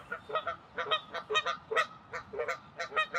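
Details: Territorial defense by a Canada goose at Wilde Lake, Columbia, Maryland, 11 April 2024: a rapid run of harsh, nasal honks, over two each second, uneven in spacing and fairly loud.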